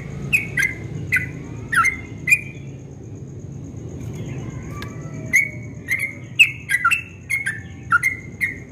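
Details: Yellow-vented bulbul at dawn giving its melodious 'ropel' song: a burst of slurred, bubbly notes, a quiet gap of about two seconds, then a denser run of rapid, up-and-down phrases, over a steady low hum.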